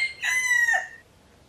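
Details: Tail of a loud crow from wild chickens kept peacefully around a pagoda near Teuk Chob Khnar Po Community Forest, Siem Reap, Cambodia; a sustained harsh nasal note ending in a falling, rasping slur, followed by silence.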